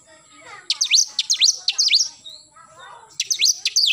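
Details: Oriental magpie-robin in morning song, delivering long runs of rapid, sharply slurred high whistles in energetic bursts with a short break between runs.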